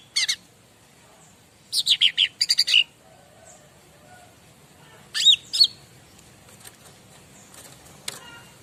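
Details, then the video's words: Bar-winged prinia song used as a master recording to draw replies from other birds: a short high chirp, then a fast burst of about eight sharp notes, later a two-note swooping phrase and a lone click, over quiet background. "Burung Apapun Pasti Nyaut Masteran Cica Ranting"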